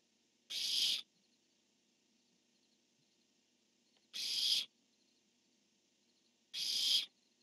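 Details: Nest-camera recording of barn owls, male calling and female answering: three rasping, breathy screeches separated by long gaps of two to three seconds, over a quiet hiss.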